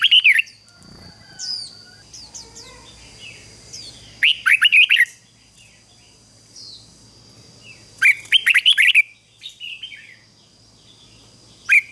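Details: Caged decoy red-whiskered bulbul singing to draw wild birds: loud, rapid, liquid warbled phrases every few seconds, interspersed with softer high chirps and a faint steady whine.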